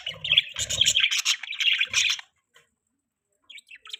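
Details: Budgie chirping: about two seconds of loud, grating warbled chatter with clipped pulses, then near silence broken by a few faint high tweets.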